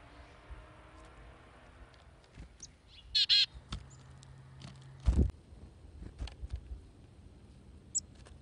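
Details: Chickadees visiting feeders where they are hand-fed; one brief burst of buzzy dee notes midway, with several soft thuds and faint high chips scattered through.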